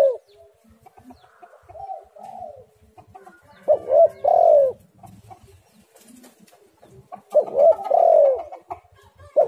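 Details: Spotted dove, tekukur or derkuku, in a lure call to get doves singing: two phrases of short coos leading into a long falling coo, several seconds apart, with quieter coos and faint clicks in between.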